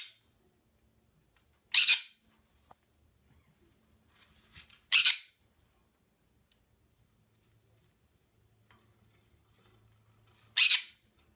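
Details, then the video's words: Indoor pet green-cheeked conure letting out three short, sharp, grating squawks spaced several seconds apart, with quiet room noise and faint low hum in the gaps. "Green Cheek Conure Making Noises"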